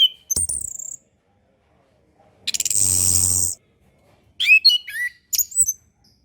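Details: Orange-headed thrush tutor recording for young birds. High whistles at the start, a harsh buzzy burst in the middle, then varied slurred whistled notes.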